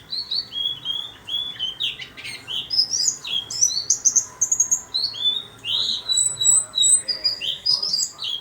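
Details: Warbling white-eye singing eagerly in a small cage: a varied, jumbled warble of high chirps and trills, some notes rising and others falling, continuing without pause.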